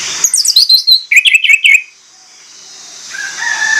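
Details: Orange-headed thrush delivering a fast cluster of high, twittering notes that step down into a row of short whistled chirps, followed by quiet hiss and a faint, thin whistle.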